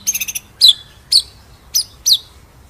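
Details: White-rumped shama in a masteran ngerol nembak recording: a quick flutter of high buzzy notes, then four separate sharp, down-slurred high chips at uneven intervals in an otherwise quiet room.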